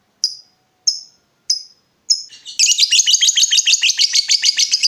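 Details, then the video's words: Lovebird giving an ngekek-style chatter, used as a lure to make other lovebirds answer. Four separate high, sharp chirps come about every 0.6 seconds, then a fast, continuous, shrill chatter of rapidly repeated buzzy notes. "Pancingan Lovebird Gacor Burung Lakbet apapun pasti Nyaut Ngekek"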